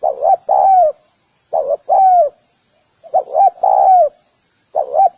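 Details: Spotted dove calling to draw in other doves, giving double and triple coos with the last note sliding downward, phrases spaced about a second and a half apart.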